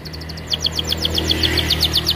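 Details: Canary singing a long, energetic song used as a lure to set other canaries singing: a rapid trill of short falling high notes that slows into evenly spaced downward sweeps, with a steady low hum underneath.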